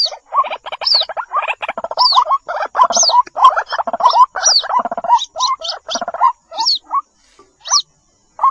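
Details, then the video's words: Young white-breasted waterhens calling to their mother on a lure recording: bursts of harsh, nasal chattering notes alternate with higher downslurred squeaks, busy at first and thinning into spaced single calls near the end. "SUARA PIKAT BURUNG RUAK RUAK //SUARA ANAKKAN MEMANGGIL INDUK!!"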